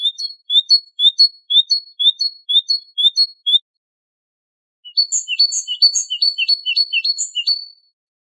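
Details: Great tit song on a goldfinch tutoring tape: a run of regular upslurred whistles, a pause, then a denser, faster phrase of ringing two-part notes.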